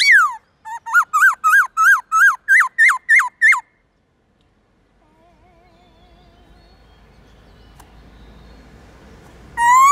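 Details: Morning forest-style song of a white-cheeked laughingthrush with many voices: about ten loud, ringing, rising-and-falling whistled notes in quick succession, then a quiet stretch with faint soft whistles over a low hiss.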